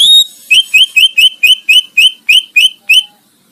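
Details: Greater green leafbird singing, a master recording for tutoring competition birds: one long high whistle, then nine bright upslurred whistled notes repeated evenly about four per second, clean and loud with quiet background.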